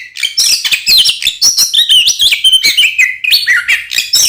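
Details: Oriental magpie-robin song used to provoke other magpie-robins into fighting; quick sequence of high whistles, downslurred notes and buzzy chatter, energetic and nonstop, recorded close.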